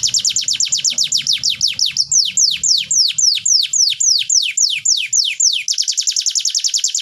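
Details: Canary song meant to get non-singing birds going: a quick rattling trill shifts into slower, loud descending whistles about four per second, then returns to a fast dense trill.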